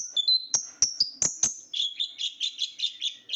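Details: High, thin whistled notes from a small sunbird, the ninja bird or konin with blue, black and gold feathers, first sliding slurs with sharp clicks, then a quick repeated two-note twitter running to the end.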